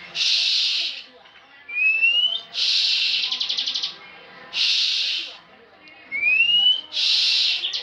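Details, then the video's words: Bar-winged prinia, a frequent national competition champion, delivering loud buzzy trill bursts roughly every two seconds, each preceded by a thin whistle gliding upward. "Ciblek ngebren full"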